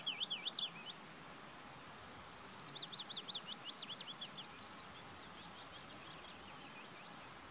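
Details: Willow warbler delivering a descending run of rapid, thin whistled notes over about two seconds, preceded by a few separate higher chirps, with steady outdoor background noise throughout.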